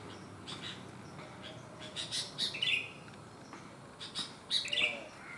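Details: Song of a sooty-headed bulbul that has one abnormal leg yet still sings freely: two clusters of fast chirps, each ending in a liquid, slurred warble, the bursts about two seconds apart over faint background hiss.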